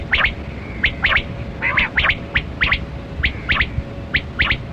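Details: Kali kirak quail, batera, during a hunt, giving scratchy chirps in pairs and triplets about once a second, with a brief lower wavering note and a low background hum.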